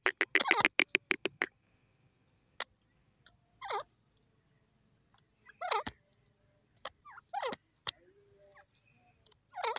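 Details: Jungle francolin calling: a burst of sharp rapid clicks at the start, then several short descending swooping notes with rich harmonics, spaced a second or two apart, with scattered loud ticks between them.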